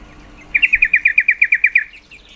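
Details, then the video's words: Female yellow-vented bulbul calling to excite breeding males: a single quick run of about twelve sharp, evenly spaced chattering notes lasting just over a second. "Suara panggilan trucuk betina sangat efektif mendongkrak birahi trucuk jantan"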